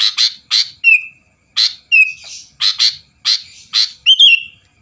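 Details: Energetic song of a sooty-headed bulbul, meant to rile rival birds into answering: harsh, explosive chirps, each roughly half a second apart, mixed with brief clear whistled notes that slide downward.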